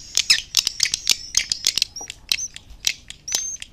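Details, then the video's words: High, chattering swiftlet calls from an outdoor lure recording meant to bring swiftlets to nest in houses: quick clicky bursts several times a second, mixed with short, thin, level whistles. "Âm Thanh Nhà Yến"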